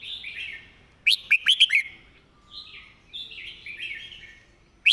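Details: Red-whiskered bulbul singing a quick, repeated 'master song' style: one loud burst of five rapid whistled notes near the middle and a sharp note at the end, over softer continuous warbling in the background.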